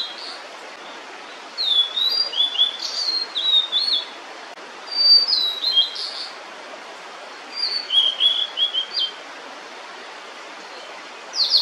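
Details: With food in her bill, a female blue-and-white flycatcher sings instead of returning to her chicks, apparently staying put so the nest stays hidden. Bright whistled phrases of sliding notes come in three bursts, with another beginning at the end.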